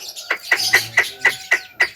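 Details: Javan myna in full voice giving sharp, short chirps repeated about every quarter second in a steady series, with faint music underneath.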